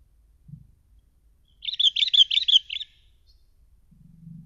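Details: Sooty-headed bulbul, used as a lure call: a brief burst of about seven quick, bright, chattering notes lasting just over a second. A faint low thump comes before it and a low hum follows.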